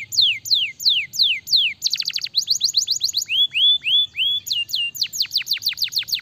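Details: Canary in full song: slow repeated descending whistles, then rapid trills of falling notes, a few rising slurred phrases, and another fast series of high, sharply dropping notes.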